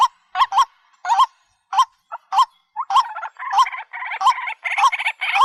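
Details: Spaced rising whistled notes from a white-breasted waterhen, given singly or in pairs, building into a continuous harsh, croaking chatter in the second half.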